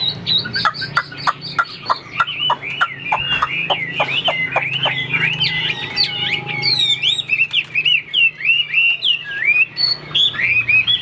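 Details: Chinese hwamei fighting bird displaying with spread wings: at first sharp whistled notes repeated in quick succession, then a fast tumbling run of warbled, looping whistles and clicks over a faint low hum.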